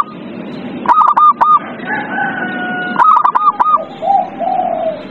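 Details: Zebra dove lure recording meant to coax a silent dove into singing: two bursts of rapid hooked coos about two seconds apart, with softer, lower drawn-out calls from other doves between them.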